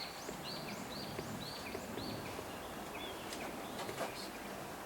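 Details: Young Japanese bush warbler singing in the spring-fed valley of Zama Yatoyama Park, Kanagawa, Japan, on 16 May 2023: a quick series of short, high, hooked notes roughly every half second, then a few scattered notes over steady background noise.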